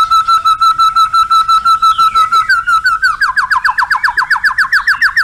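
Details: Shama fill-in phrases (isian) within contest-style song: a steady series of pure repeated whistles, then a shift to buzzier, faster rising notes repeated in a quick, regular rhythm.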